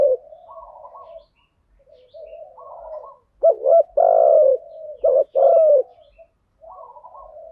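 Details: Spotted dove calls from a lure tape covering "thúc gù" and "gáy gọi" styles: quiet warbling murmurs open, then loud clipped double coos and a sustained rich coo near the middle.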